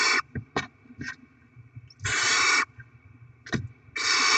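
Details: Barn owls at a nest, chicks being fed with rodent deliveries by the adults; harsh broadband hissing screeches of about half a second, two long bursts with short rasping snaps between them, plus low thumps and rustling.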